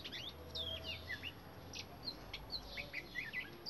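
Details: Indian robin singing in a garden: rapid high chirps and short whistled slurs, some rising and some falling, packed closely through the passage with a faint low background hum.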